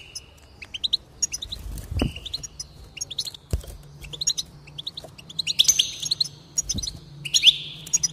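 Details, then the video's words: Goldfinch song played to encourage a bird to sing: rapid high twittering phrases with sharp chirps and short buzzy trills, broken by brief pauses, a few low thumps underneath. "increase the enthusiasm of the goldfinch and encourage it to song"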